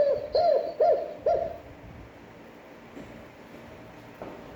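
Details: Spotted dove cooing in a standard voice meant to stir decoy birds into calling: three short, bent coos in quick succession, then near silence with faint room noise.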